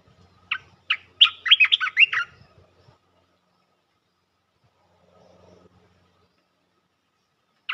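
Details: Bulbul luring call for trapping: two sharp opening chirps, then a fast burst of warbling slurred notes, followed by several seconds of near silence with a faint low rustle.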